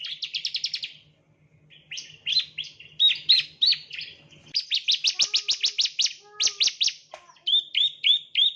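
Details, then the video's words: Bar-winged prinia, known as ciblek, in a lure recording for training birds: rapid buzzy trills, varied chirps, a loud fast run of sharp notes, then evenly spaced whistled chirps, with faint lower tones and a low hum early on. "the chirping of ciblek birds"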